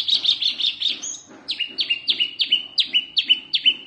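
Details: Oriental white-eye, wambi mini variety, singing fiercely for songbird tutoring: fast stuttering high chirps, then a regular series of sharp downslurred whistles nearly three per second, with soft low thumps beneath.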